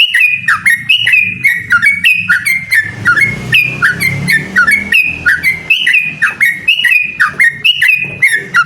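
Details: Yellow-vented bulbul, a lively trucukan singing to challenge a rival, giving rapid repeated bubbly whistled phrases around two to three per second, each with a quick dip and upturn, faint low rumble beneath mid-clip.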